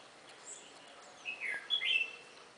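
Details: Red-whiskered bulbul filmed around a home garden on March 12, giving a short run of liquid whistled notes that swoop down then rise in a quick tumbling phrase, over faint high twittering and a low background hiss.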